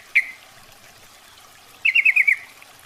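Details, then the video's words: Female Yellow-vented Bulbul calling the male, a lure sound: one sharp upslurred chip, a pause, then a quick bubbly chatter of five descending notes. "SUARA PIKAT,trucukan betina memanggil jantan"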